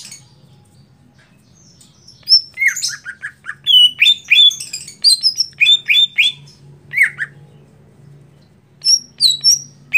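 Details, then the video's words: Greater green leafbird, a setting-trained competition bird, singing: bursts of sharp whistled slurs and squeaky notes high in pitch, with a low steady hum underneath and quiet gaps at start and end. "New Setting Cucak Hijau Perdana Lomba Di Mulai"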